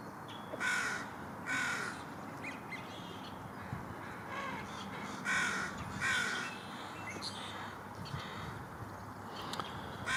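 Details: American crow in Jericho Park near the UBC campus, Vancouver BC, in early March, calling near a mallard and possibly courting it. Harsh, raspy caws come in pairs, two near the start and two more around five to six seconds, over steady background hiss.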